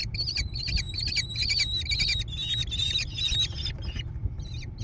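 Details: American kestrel chicks growing in a gravel-floored nest box by a barn, Prairie du Chien, Wisconsin, USA, June 2022. Dense, almost continuous raspy chatter with whining tones runs for four seconds, then trails into a few short calls.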